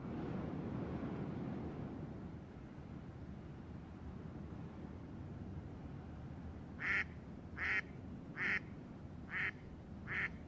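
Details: Birds at the drying lake Verkhnee Krivoe: after a stretch of low rumbling background, five harsh, nasal calls ring out, spaced less than a second apart.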